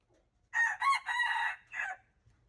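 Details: Junglefowl from March 19, 2025 crowing somewhat more softly: two quick harsh syllables, a long hoarse held note, then a separate short final note after a brief gap, with faint low rumble in the background.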